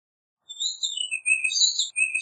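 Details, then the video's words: Warbling vireo singing one brief, rapid warbled phrase of slurred, high notes that rise and fall over about a second and a half, with no other sounds. "Warbling Vireo Bird Singing, Calling, Chirping, Sound - Vireo Gorjeador Canto - Vireo Gilvus"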